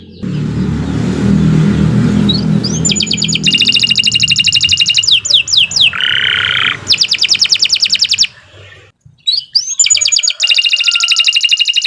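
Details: Canary singing to train young or silent canaries: long runs of very fast high trills broken by a lower buzzy phrase and short pauses, over early low background noise.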